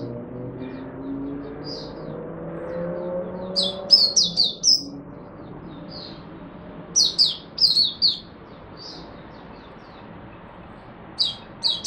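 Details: Caged Oriental white-eye in Singapore giving its opening 'buka' song on a humid, warm, rainy, overcast day, 23 March 2023: clusters of very high, thin, rapid chirping notes in short bursts separated by quiet gaps, over faint low background hum.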